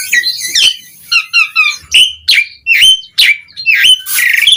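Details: Asian pied starling singing to prompt replies from other starlings, opening with a jumbled chattering trill, then sharp whistled notes and ending in a harsh buzzy rasp.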